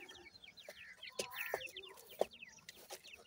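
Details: Grey francolin chicks with their parents; clear rows of short downslurred peeps, evenly spaced and overlapping from several birds, plus a few dull knocks.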